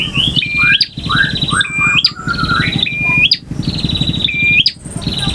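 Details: A male bar-winged prinia delivers a varied song, styles named ngotot, ngalun, variasi and kristal. It has short downslurred chirps, a level whistle with an upward hook, and buzzy trills, repeating every second or so over a low hum.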